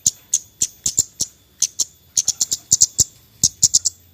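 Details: Javan white-eye, in the nyecret style, used as a lure to prompt birds that are reluctant to sing: short, sharp, very high chips in irregular bursts, sometimes two or three close together, over a faint low hum.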